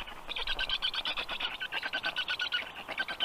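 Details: Young black storks give a steady run of hoarse, buzzy pulses, several per second, in a continuous chattering stream with soft forest ambience behind.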